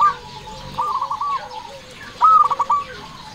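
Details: Local zebra dove song meant to lure other doves: a softer run of bubbling coos followed by a louder phrase of quick stuttering notes ending in a drawn-out coo.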